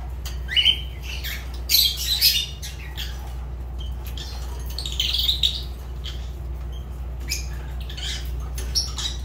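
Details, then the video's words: Pet Fischer's lovebird producing bursts of piercing squawks and chattering chirps, busiest in the first half, then scattered softer clicks over a low steady hum. "Lovebird Agapornis Fischer sounds"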